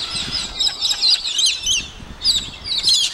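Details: Several galahs at Lakes Entrance screech together, harsh, grating calls overlapping in bursts about every half second, with no pause in the noisy chatter.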